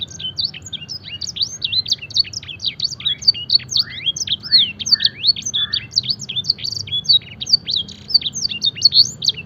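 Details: Canary trained to sing blackthroat and edel sanger song: a dense, unbroken stream of high, sharp chirps and quick sweeping whistles, notes overlapping with barely a pause, over a faint low hum.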